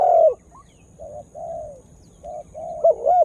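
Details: Spotted dove lure bird calling to excite wild birds; a loud falling coo opens, then softer muffled coos, ending in a rising, wavering coo pair.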